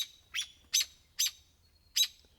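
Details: In winter, an American goldfinch, a tiny bird with undulating flight, gives four bright, high, slightly buzzy call notes about half a second apart, like "po-ta-to-chip"; otherwise quiet.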